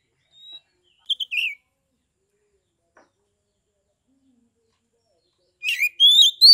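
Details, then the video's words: Oriental magpie-robin kept in Kebumen, Central Java, Indonesia, its song used to stir rival magpie-robins to sing and fight: a thin whistle, a short twittering phrase, a long silence, then rapid loud rising whistles and chatters. "KACER TIPE PANAS / DINGIN PASTI AKAN NYAUT GACOR, MERESPON SUARA KACER NGEPLONG INI"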